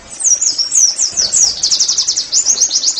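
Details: Pleci, Oriental white-eye, singing "nembak" to coax caged birds into song: a few sliding high whistles, then a fast burst of sharp repeated chirps.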